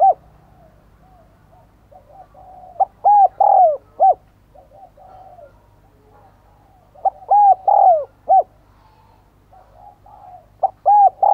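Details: Decoy spotted dove luring other doves with repeated cooing: three phrases of short and drawn-out low hoots, the longest note falling in pitch, linked by quiet rolling coos.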